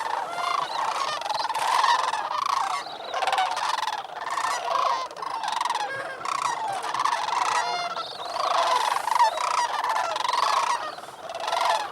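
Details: Many sandhill cranes calling from the North Crane Pool at Bosque del Apache National Wildlife Refuge, New Mexico, on a frosty morning, November 28, 2010, before heading to cornfields to feed. A steady stream of trumpeting, gargled calls overlaps throughout.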